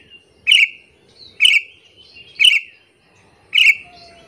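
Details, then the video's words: Sooty-headed bulbul calling to lure and anger other bulbuls, four emphatic chirps about a second apart, each a clipped burst ending in a falling note, with faint low background rustle. "AMPUH BANGET suara panggilan burung kutilang alasan untuk pikat"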